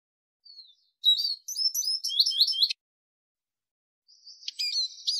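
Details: Arabian babbler, recorded for training and hunting use: a short thin whistle, then a burst of quick rising-and-falling chirps, a pause of about a second and a half, and a final buzzy, twittering phrase.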